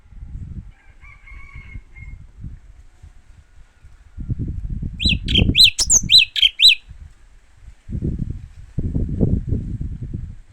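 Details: Japanese white-eye song: a short burst of rapid, high, upslurred chirping notes with a sharper squeak, preceded by a faint thin whistle and set among low rustling and handling noise.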